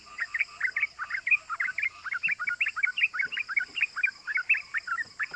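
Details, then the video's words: Trucukan, or yellow-vented bulbul, in lively ropel form used as a lure to stir other bulbuls: dense, steady stream of bright, bubbly 'cuk cuk' notes, several per second, with no pause throughout. "Pancingan Trucukan Gacor Ropel Bikin EMOSI❗ Suara Cuk Cuk GAMPANG DITIRU bikin semua trucuk EMOSI"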